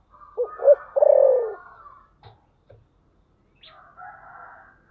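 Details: Spotted dove with a "thổ sấm" voice. Two short coos run into a long vibrating falling coo, then come soft knocks and faint, wavering higher tones.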